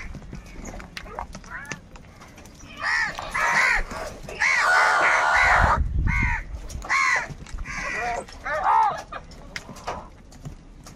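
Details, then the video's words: Crows in a group fighting over food, heard live: a loose series of harsh, arched caws in bursts, some overlapping, with a louder drawn-out stretch midway and quieter low rumbling beneath. "Crow bird live crowing sounds - All types of crow sounds | Crow bird unity anger and sounds"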